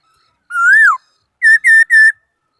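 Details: Laughingthrush song: one long, swelling whistle that rises then drops, a brief gap, then three short, loud, clear whistled notes in even rhythm.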